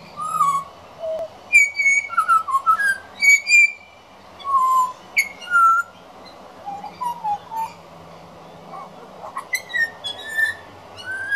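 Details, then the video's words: Young pied butcherbird practising its song: a rambling sequence of clear fluted whistles, alternating high and low notes, some slurred upward or downward, delivered in short phrases with brief pauses, with faint background hum. "Juvenile Pied Butcherbird Singing"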